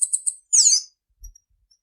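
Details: Tanager giving three quick high chirps, then a loud buzzy, sweeping high note, followed by quiet.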